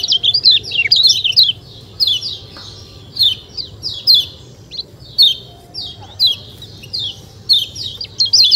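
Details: Rapid 'ciak ciak' chirping from a kecial kuning white-eye. High, sliding notes drop sharply in pitch, clustered at first, then spaced into separate bright calls about every second.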